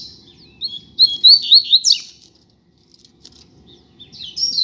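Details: Double-collared seedeater (coleiro), one of a pair outdoors on a street, singing a quick series of clear high whistled slurs followed by a harsh buzzy note. After a pause a shorter phrase begins, with low background rumble.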